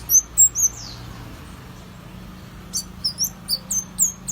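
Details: An oriental white-eye sings as a lure: a few high slurred chirps, a near-silent pause, then a rapid series of short, bright, high notes, about four a second.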